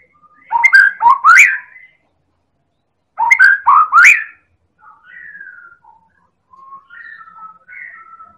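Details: White-rumped shama from Medan, a persistently singing champion used to provoke other birds: two loud bursts of fast rising whistles with sharp clicks, followed by soft, drawn-out level whistles.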